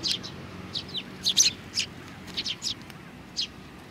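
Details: Sparrow chirping on 27 June 2019 as little ones are active: quick clusters of bright, high chirps, several overlapping, within a few seconds, with a faint low hum behind.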